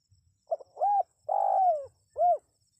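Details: Spotted dove calling, a recording used to lure wild birds into answering: one short hollow coo, then a longer cooing note, a drawn-out purring coo that sags at the end, and a final rounded coo, all mid-pitched against a quiet background.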